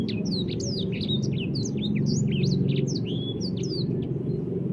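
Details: Ashy tailorbird (sanger) delivering a rapid series of high, sharply slurred whistles and chirps, roughly three notes a second, with a brief clear drawn-out whistle midway, against constant low-pitched background rumble.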